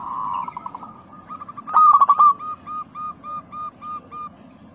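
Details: Local zebra dove lure recording: a low soft purr, then a loud quivering coo burst, followed by a series of short evenly spaced hooting notes.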